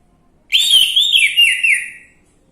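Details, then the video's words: Orange-headed thrush phrase from a lure recording to make a bird sing: one continuous, rich, warbling whistle of several linked, wavering notes lasting about one and a half seconds. "Pancingan Anis merah macet bunyi"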